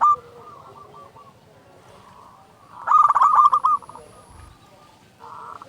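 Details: Local zebra dove song used as a lure: soft, distant-sounding runs of coos, then one loud burst of rapid stuttering coos ending in a held note, and softer cooing afterwards.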